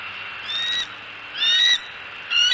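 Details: Bald eagles at their nest in Southwest Florida in the early morning, as the male leaves and the female checks the nest cup. Three thin, high, squealing calls, each under half a second, over steady outdoor hiss.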